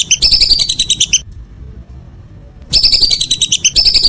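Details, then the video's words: Whistling duck in the evening giving two rapid series of high, piping whistles, separated by a silent gap of about one and a half seconds. "Suara burung belibis sore hari"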